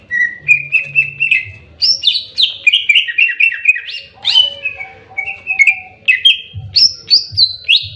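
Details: Fighting song of a greater green leafbird: a busy stream of bright whistles, quick downslurred notes and chattering trills in tight succession, over a steady low background hum.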